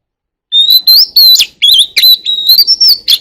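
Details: Oriental magpie-robin in wild-voice song, calling the flock: rapid run of loud whistles, slurred up-and-down notes and sharp chips, with longer bright whistled stretches that climb slightly toward the end.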